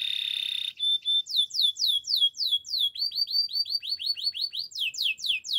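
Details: Gloster canary singing for training purposes: a high sustained trill opens, followed by a lively string of falling slurred notes, a fast even run of short upswept chips, and closing descending sweeps.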